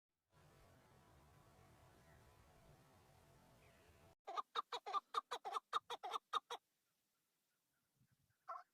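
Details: Chukar partridge males on Bamo mountain, Kurdistan, fighting and displaying to females in breeding season: after a quiet stretch of low rumble, a quick burst of about ten loud, evenly spaced clucking chuk notes, then a lone final note.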